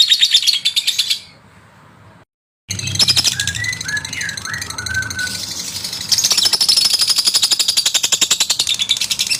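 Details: Male lovebird song meant to provoke rivals: shrill rapid chattering, then a sudden silence. It resumes with some lower warbled notes before a fast, intense run of high pulses returns and continues to the end.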